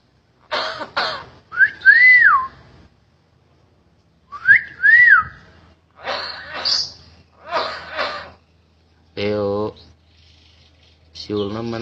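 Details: Common hill myna, a captive talking bird said to mimic greetings, coughing and a woman's voice; clear whistles rise and fall twice near the start, then harsh buzzy bursts and throaty harmonic calls follow in separate phrases, in a small room.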